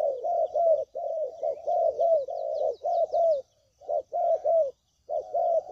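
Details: Repeated throaty cooing of a spotted dove, used as a trapping lure. Closely spaced soft notes come in long phrases broken by two brief silences, with faint high chirps behind them.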